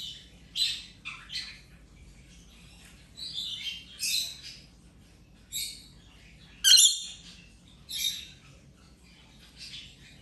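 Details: Rainbow lorikeet recovering from an injury, playing over ten days, uttering a series of short screechy squawks and chattering notes spaced irregularly, one piercing shriek midway, with low steady background hum.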